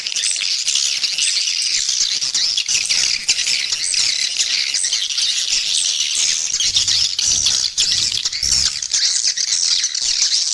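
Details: Swiftlet lure call, used to attract swiftlets and increase their population: a dense, unbroken wall of high, shrill twittering chirps from many overlapping voices, steady throughout with no pauses.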